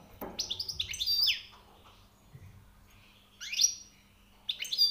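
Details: Goldfinch song: quick tinkling chirps sweeping up and down, two bursts separated by a silent gap, over a faint indoor hum.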